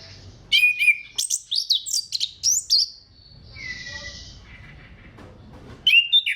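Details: An orange-headed thrush sings clear, bright phrases used to trigger singing in other thrushes: a run of sharp, quickly repeated high chirps and slurred whistles, then a softer hissing, buzzy stretch and a quiet gap before the song resumes.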